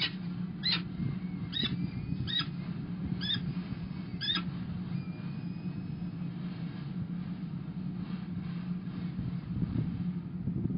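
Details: Female peregrine falcon entering the nest on 29 April 2021 gives five short, harsh, harmonic squawks spaced about a second apart, then falls silent; a steady low traffic rumble runs throughout.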